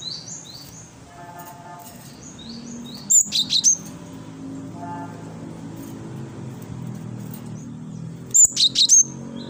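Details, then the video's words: Great tit (gelatik batu wingko) singing energetically as a lure sound for attracting birds. Two short bouts of quick, high, chirping notes about five seconds apart stand over a faint steady background hum. "gelatik batu wingko gacor pancing bunyi pikat gacor"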